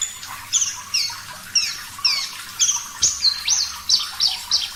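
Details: Javan bush lark of the Parva type singing clearly: a series of high, thin, downward- and upward-bent whistled notes, spaced about half a second apart. A soft low thump comes midway.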